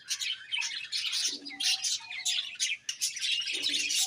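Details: Bright budgie chirps and scratchy twitters come in closely spaced bursts, forming a lively, uneven chatter.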